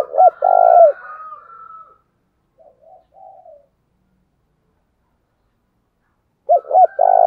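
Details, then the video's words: Spotted dove kept as a lure bird, cooing low and mellow: paired short coos run into a long sustained note, faint trailing coos, quiet gap, then the phrase starts again. "chim cu mồi gáy chuẩn nhất, dùng tập mồi và kích bổi phải nói nó hiệu quả"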